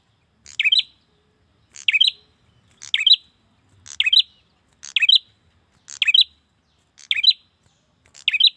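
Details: Male bar-winged prinia summoning a female with regular rasping chirps, each short and buzzy, delivered about once per second in a clean recording.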